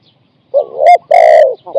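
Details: Captive spotted dove used as a decoy to lure wild doves, cooing in short bursts: a low hollow coo, then a longer rounded coo, with another starting at the end. Quiet background.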